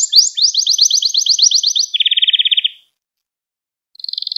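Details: Common starling chicks being fed in Pärnu on 1 July 2025: harsh, noisy hissing bursts about half a second long, repeated roughly once a second, over low background rumble.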